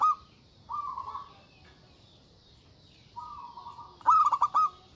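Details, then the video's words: Local zebra dove, a loud big-voiced singer calling out rivals in an agitated mood: two steady, drawn-out mellow hoots, then a short burst of quick staccato coos near the end over a quiet background. "Suara Burung Perkutut Lokal Gacor Suara Besar Ampuh Memanggil Lawan Bunyi Emosi"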